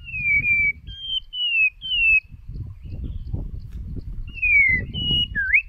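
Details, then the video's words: White-rumped shama decoy bird in song: loud, pure, slightly falling whistles given singly about once a second, a pause, then more whistles ending in a sharp upslurred note, over low background rumble. "Chòe lửa Mồi hót cực đỉnh ✦ Luyện giọng chòe lửa"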